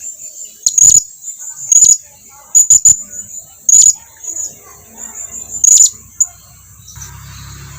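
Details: Blue-crowned hanging parrot calling its flock mates in, with piercing high chirps, singly and in close pairs, spaced irregularly over a faint background hiss.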